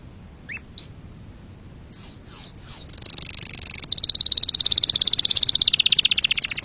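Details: Canary song: a few scattered rising chirps, then three clear down-slurred whistles, followed by a fast buzzy trill of rapidly repeated high notes that runs on and shifts slightly in pitch.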